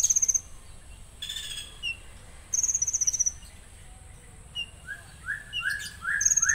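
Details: Konin delivering rough-shot song phrases: sharp high trills, a loud buzzy burst, then a run of rising slurred whistles repeated about every half second.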